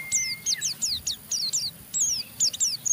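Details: Oriental white-eye giving a rough chattering ngeriwik that provokes a rival to join in: quick, high, scratchy downslurred notes in bursts, with a thin steady whistle-like tone early on and faint low background rumble.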